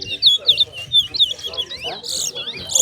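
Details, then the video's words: Towa towa singing in a bird singing competition between two birds, notes counted aloud: clear, loud whistled notes with quick rising and falling slurs, delivered in short bursts, then a brief buzzy phrase; faint background music and voices. "TOWA TOWA BIRD SINGING COMPETITION"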